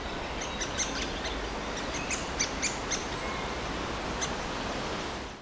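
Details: Impatient, very hungry woodpecker nestling begging on 24 May 2021 with thin, high chirps in short irregular bursts, some doubled, over a steady hiss of outdoor noise.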